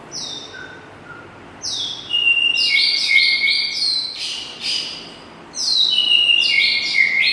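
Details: Oriental magpie-robin whistling a varied, lively song of clear whistled phrases, some sliding down and others rising, delivered in two rich bursts separated by a short pause.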